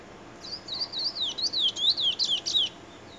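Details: Trinidad bullfinch, 2020, giving a lively warbled phrase of quick whistled notes. The notes slur down and then rise again in a rapid sequence lasting over two seconds, over low steady background noise.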